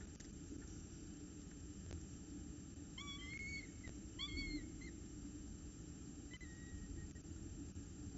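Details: Hungry peregrine falcon chick begging for food at Orange, 10 October 2018: short harsh wailing notes with a rising-then-falling bend, in small clusters around the third, fourth and sixth seconds, over a steady low rumbling background.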